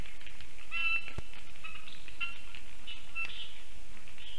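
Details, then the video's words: A lesser spotted eagle family calls quite close to a black stork nest in Ogre municipality, Latvia, at 1:19 pm on 19 August 2024: faint, high, thin whistled yelps about every second over a steady low rumble. "Lesser spotted eagle Family can be heard"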